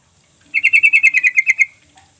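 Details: Lure call of a sooty-headed bulbul, meant to make reluctant birds respond. A clean, rapid trill of about eleven bright, evenly paced notes lasts just over a second, with near silence around it.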